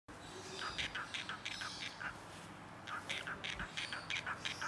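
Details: Male cockatiel (Nymphicus hollandicus) saying his own name aloud in short, chirpy, speech-like phrases mixed with whistles; speech mimicry.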